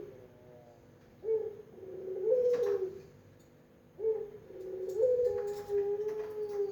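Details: Melodious puter pelung cooing from a Barbary dove: two low phrases, each opening with a short rising note and sliding into a long, steady, resonant coo, the second starting about three seconds after the first.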